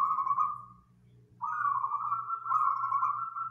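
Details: Loud, dense song of a local wild zebra dove, used as a training and lure recording for other birds: a trembling mid-pitched coo, a short gap, then a longer, slightly rising vibrating phrase, with faint low hum beneath.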